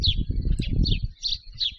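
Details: White stork nestlings in their nest in Pyriatyn National Park, Ukraine, squeaking while they peck and touch one another with their bills, learning to communicate. Thin high squeaky chirps repeat about every third of a second over a low rumbling background.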